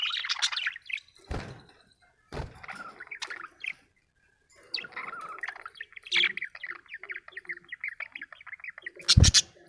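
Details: Happy budgerigar chirping: continuous soft warbling chatter with rapid ticking notes and short chirps, broken by a few loud low knocks.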